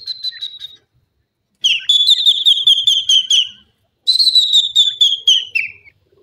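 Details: Francolin kept as a bird that showed dizziness, calling in bursts of rapid, high, pulsed notes, each run of about a dozen notes gently falling in pitch and lasting around two seconds.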